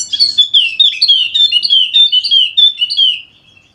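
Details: Continuous lively song of a golden-headed Wallacean white-eye from Sumbawa, West Nusa Tenggara, played to get lazy white-eyes singing: a steady stream of quick, sweet, high twittering notes lasting about three seconds before fading out.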